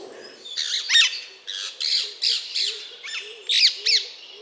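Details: Alexandrine parakeet giving a series of about eight harsh, grating squawks, each short and rasping, spaced roughly half a second apart with uneven rhythm, over a soft low background hum.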